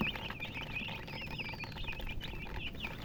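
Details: Colored chickens chirping: high, slurred peeps repeated every fraction of a second, a thin, faint whistle gliding downward midway, low rumble throughout.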